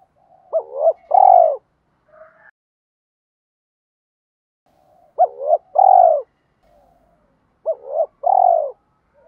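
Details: Decoy spotted dove cooing to stimulate fresh-caught doves: three well-separated phrases, each two clipped rising notes and a full falling coo, with long quiet pauses between them.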